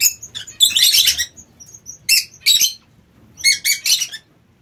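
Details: Aviary-kept king quails give rapid, high-pitched chattering chirps in short clustered bursts, with brief silent pauses between groups and soft faint calls in the background.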